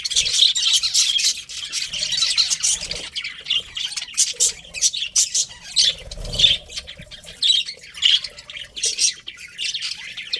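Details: Budgies keep up a busy warbling chatter, harsh chirps and squawks tumbling in quick irregular bursts, broken by a few short lulls; a soft low thud sounds midway.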